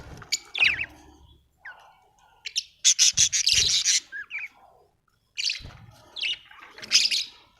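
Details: Budgie chirping contentedly, a dense buzzy chatter run in the middle flanked by warbled chirps and a couple of whistled slurs, with low thumps beneath.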